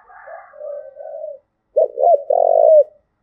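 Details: Spotted dove from Đồng Nai, Vietnam, giving the 'cu thúc gù' coo used to provoke and train decoy birds: soft, low drawn-out cooing, a short pause, then two quick hooked coos and a loud, sustained final coo.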